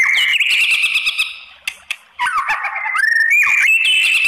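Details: White-rumped shama singing to goad other shamas into replying: sustained buzzy whistled notes, a short pause, then lower slurred phrases rising into clear high whistles, loud throughout.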